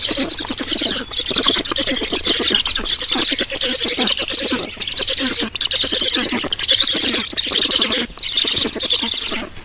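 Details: Black storks being fed at their Estonian nest, 18.06.2019 at 10:03: a nonstop, harsh, hissing and rasping chorus with a deeper rattling undertone, swelling and easing every few seconds.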